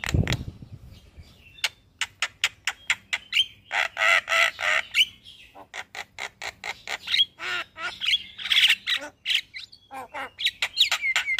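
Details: Javan myna in the morning, recorded as a master track for training caged birds: dense run of harsh rasping and clicking notes mixed with whistles, repeated rapidly throughout.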